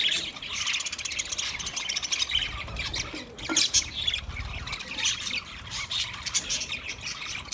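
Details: Budgie flock chirping for a solitary bird: busy high warbling and scratchy twitters run without pause, with a few louder squawky bursts.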